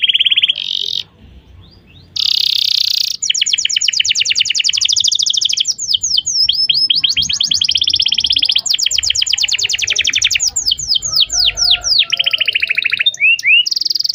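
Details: Atlantic canary song used as a lure to teach a young canary to sing: rapid trills of repeated high notes, buzzy rolls and fast down-slurred whistles, with a short quiet gap near the start.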